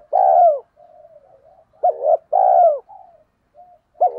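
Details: Spotted dove coo used to lure birds: a long loud coo sliding down, soft bubbling murmurs, then a sharp double note and another full drawn coo, with a final double note at the end.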